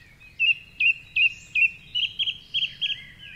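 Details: Male song thrush singing at 4.45am in the dark from the top of a tall tree beside the Curragheen River path in Cork City, Ireland, during the dawn chorus: one sharp whistled note repeated four times, then a warbled phrase repeated four times, over a low background hum.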